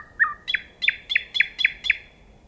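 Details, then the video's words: A common nightingale sings a falling introductory note, then six rich, sharp notes repeated rapidly about four times a second, against a quiet background. "The nightingale singing"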